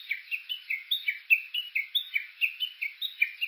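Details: Japanese bush warbler at Uguisu Road, Kuga, Suo-Oshima, Japan, captured on an OLYMPUS Voice-Trek V-82: evenly spaced, emphatic chirps about two and a half per second, each a quick down-up twist, continuing throughout.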